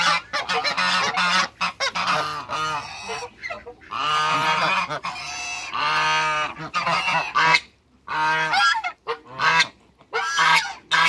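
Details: Two male and one female African geese kept in a backyard, honking loudly and repeatedly: harsh, nasal blasts, several long drawn calls alternating with rapid short ones, broken by a brief silence near the end.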